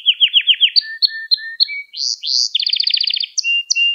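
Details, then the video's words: A canary sings lesson-style for young canaries: a run of evenly repeated chirps, a few drawn-out lower whistles, then rising notes and a rapid pulsed trill with sharp closing chips. "Kanarya Sesi Ve Ötüşü"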